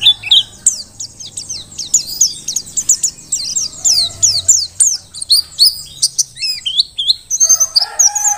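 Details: Mountain white-eye, Merapi dakun form, in vigorous tutoring song: quick, high, slurred chirps strung into a busy continuous twitter, ending in a few sharper spaced notes.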